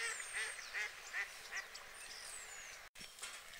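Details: White geese among UK water birds, giving short nasal honks about every 0.4 seconds, with thin high whistles of other birds above.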